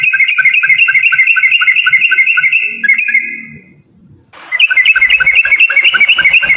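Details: Sooty-headed bulbul singing in rapid-fire style to prompt other bulbuls to answer: fast regular chattering whistles, a short quiet break with faint low sound, then the quick run resumes.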